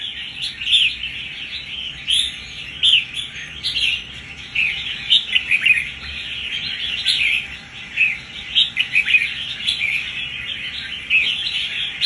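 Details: Newly caught wild red-whiskered bulbul, about one month in captivity, singing with fighting spirit: busy runs of bright warbled and chirpy notes in short bursts, with steady faint background hum.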